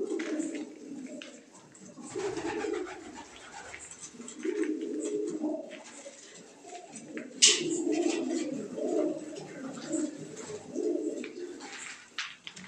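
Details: Crested, feather-footed fancy pigeons from Surat, India, part of a flock of about eighty: low rolling coos recur every second or two, with rustling and clattering from the birds in between.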